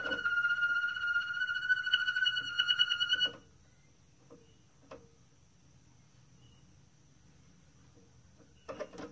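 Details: Moroccan Malinois canary singing: a rich rolling tour of rapid, evenly pulsed whistled notes with strong overtones for about three seconds, then near silence with a few faint clicks and a brief burst at the end.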